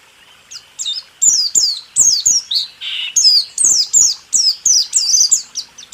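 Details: White-eye song for training caged songbirds, 2023: a continuous series of high, falling whistled notes about every third of a second, with one harsher rasping note midway.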